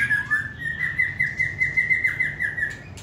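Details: Caged white-rumped shama held in the hand sings a fast, even run of about fifteen identical short whistled notes on one pitch, like a rapid trill, ending in a sharp note.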